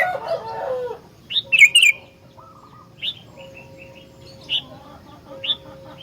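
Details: Sooty-headed bulbul, a chatty singer used as a master recording for other bulbuls: a scratchy opening, a bright bubbly burst of notes, then scattered short whistled chirps.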